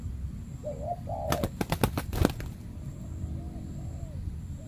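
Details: Dominant wild spotted dove at a banana plantation reacting to a trained decoy used for trapping; two short low coos, a burst of rapid sharp clicks, then faint wavering coos fading behind.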